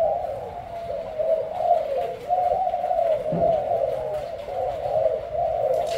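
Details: Caged Thai-strain spotted dove with a black collar of spots, cooing with a resonant booming voice. Steady low rolling notes run unbroken through the recording, with one brief low thump near the middle.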